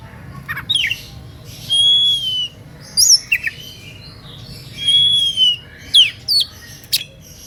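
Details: Oriental magpie-robin singing to provoke rivals into answering; two long, pure level whistles separated by short sharp downslurred and upslurred notes, with brief quiet gaps.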